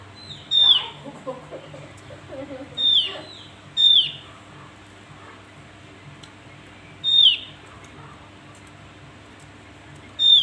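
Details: Javan white-eye calls: short, high, clear downslurred whistled notes, each dropping sharply in pitch, given singly at irregular gaps of about one to three seconds, five calls in all, over a faint low hum.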